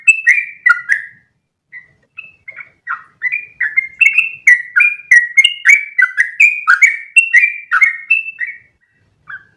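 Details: Sooty-headed bulbul in lively, continuous 'ropel' song meant to teach other birds long phrases in one breath. Quick chirped and whistled notes jump up and down in pitch, briefly pausing near two seconds, then running on densely to the end.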